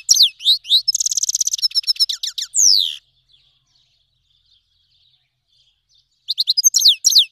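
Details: Iranian goldfinch, a Himalayan and black-headed cross from Fars province, Iran, singing a song used to tutor young birds: rapid high sweeping notes, a dense buzzy trill, then descending slurs, silence, and the phrase restarting near the end.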